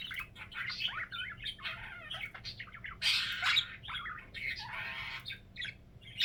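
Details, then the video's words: Budgie at home chattering: scratchy squeaks and wavy chirps, a louder harsh burst around the middle, then more buzzy warbling. "Wait for Phoenix's funny signature sound"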